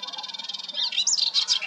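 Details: A melodious warbler sings at Hegenheim, France, in June 2023: a fast, high, chattering run of rapid repeated notes that breaks into louder, scratchy, tumbling phrases.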